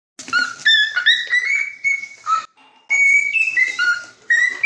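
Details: Pet cockatiel whistling a song of clear tonal notes that step between low and high pitches, some sliding upward, in phrases broken by short pauses, with a faint lower tone in one gap.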